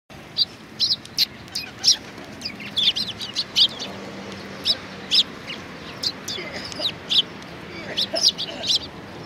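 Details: Several Eurasian tree sparrows gathered at food at a Tenmangu shrine on 19 April 2019. They give a scattered chorus of short, high, sharp chirps, irregular and sometimes overlapping, over a low steady background hum.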